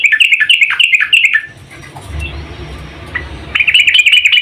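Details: Yellow-vented bulbul female calling the male: rapid, loud chattering chirps in quick succession, a pause filled with low hum, then another fast bubbling run of notes.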